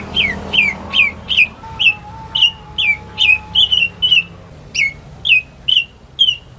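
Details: Greater green leafbird kept at home, used to stimulate birds that have gone quiet: evenly spaced sharp downslurred chirps, roughly two per second, with a faint steady low tone running underneath.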